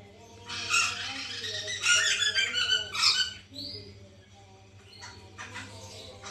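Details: White-crested laughingthrush, captive, in a recording played to coax birds into song: dense harsh chattering in several loud bursts, then a single upslurred whistle and quieter scratchy notes, over a steady hum.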